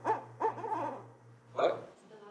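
A Barred Owl gives a short run of rich, rounded hoots in an uneven rhythm, over a steady low electrical hum.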